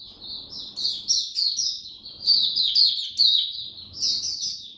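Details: Oriental white-eye kept in a cage and fed for cold, rainy weather, pouring out a continuous high, chattering warble with sharp accented notes and a faint low hum behind it.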